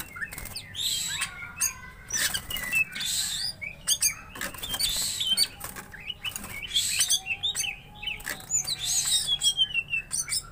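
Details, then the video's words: Greater green leafbird, apparently riled up to sing as if fighting, pours out a fast, varied song of sharp whistles, rising slurs and harsh chattering bursts in quick runs with brief pauses. "Cucak Ijo Gacor Tarung Bikin Emosi Cucak Ijo Kamu"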